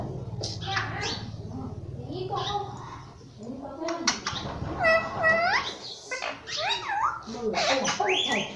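A Rose-ringed parakeet chatters nonstop in a nasal, speech-like voice, repeating words like "mummy" and "papa" among shrill squawks, over a low room hum.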